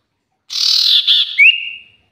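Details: Common iora, a kept songbird in Indonesia, giving a brief buzzy rasping note, a short break, then a thin clear whistle that rises and holds steady.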